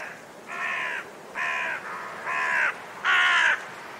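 A raven gives four harsh, hoarse croaks about a second apart, the last one loudest, with a softer croak between the first two.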